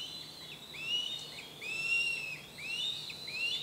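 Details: Two hungry fledged juvenile Northern Goshawks begging at the nest as an adult arrives with food; the young are still learning to hunt. Overlapping high, arched wailing calls rise and fall, repeated about once a second over faint background noise.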